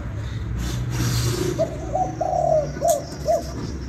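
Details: Spotted dove calling in the Vietnamese 'kích bổi nổi' style: a single phrase of two short coos, a long rolling coo, then two crisp ending notes, clear above faint background hiss.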